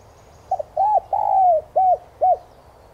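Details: Spotted dove cooing, used as a lure to stir caged decoy doves into calling. A quick double note, then an arched coo, a long falling coo and two short arched coos, mid-pitched and hollow, over a low background rumble.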